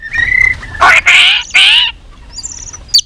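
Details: White-rumped shama in contest-style singing, kept for song-competition training: a steady whistled note, then two loud harsh buzzy bursts and a faint high twitter.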